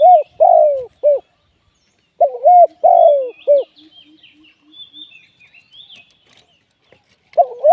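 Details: Spotted dove serving as a live trapping decoy. Two full coo phrases about two seconds apart, each with a short, a long falling and a short note, with soft distant coos and bird chirps after them. A third phrase begins at the close.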